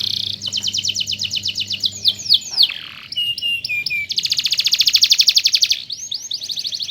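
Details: Tutor canary for teaching song delivers a fast pulsing trill, a few swooping whistles, then a long intense buzzing roll lasting almost two seconds, closing with chirpy notes. A low hum sounds in the first part.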